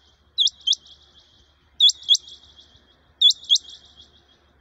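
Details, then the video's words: A rani quail in the jungle, 6/1/2021, gives two sharp, high, upswept notes then a fading twitter, repeated roughly every one and a half seconds over a faint low rumble. "quail sound"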